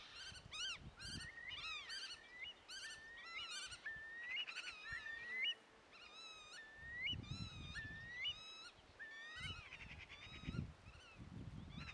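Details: Several godwits calling together, giving rapid series of harmonic, rising-and-falling nasal notes with scattered thin upslurred whistles, while low thumps and rumbles sound underneath.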